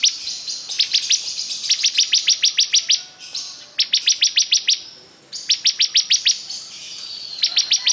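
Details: ['Lively bar-winged prinia song: trains of crisp, high-pitched repeated notes, roughly six to ten per burst, broken by brief gaps and a faint hissing background.']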